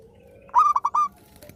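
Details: Zebra dove singing, a keen performer used to get silent doves calling again; one half-second phrase of a drawn note then three rapid, ringing pulsed coos.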